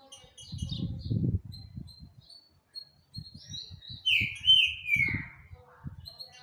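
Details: Green-winged saltator song: soft scattered high notes, then a loud clear whistled phrase that drops in pitch, mixed with intermittent low bumping and rustling noises.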